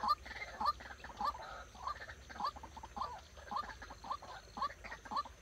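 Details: White-breasted waterhen decoy used in trapping, heard with fainter, hoarse, rising notes repeated about twice a second amid a messier jumble of overlapping clucks.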